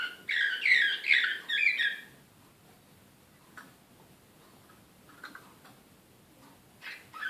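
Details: Serbian slavujar canary recorded in Belgrade in 2016, singing an excited song. A two-second burst of dense, rich warbling phrases is followed by near quiet, broken only by a few faint, scattered chirps and a short closing note.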